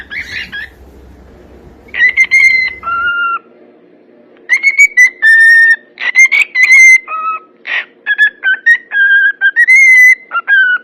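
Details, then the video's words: Cockatiel singing, a series of clear whistled notes and short phrases with rich overtones, some steady, some dipping or rising, in bursts separated by brief pauses; a faint low hum underneath at the start. "SOM DE CALOPSITA CANTANDO"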